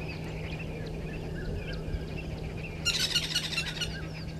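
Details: Woodland kingfisher, one of a mating pair at Gowrie dam waterhole, Djuma Game Reserve, Sabi Sand, South Africa, 06:15 on 13 December 2022; a loud burst of rapid, ringing notes arrives late over steady low hum and background bird chatter.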